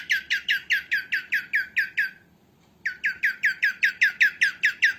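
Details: A female cockatiel calling, meant for training cockatiels: a fast string of grating, down-slurred chirps, a brief quiet gap midway, then the rapid series resumes just as evenly.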